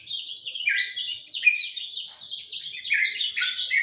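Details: Dawn song of a lemon-bellied white-eye, a rapid chattering warble of high sweet notes sliding up and down, delivered without pause over a quiet background.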